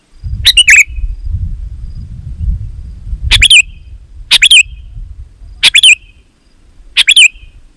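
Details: Sooty-headed bulbul in lively song, played to call wild bulbuls into answering: short chortling phrases of two or three rapid notes with a dipping whistled end, repeated at uneven intervals over a low background rumble.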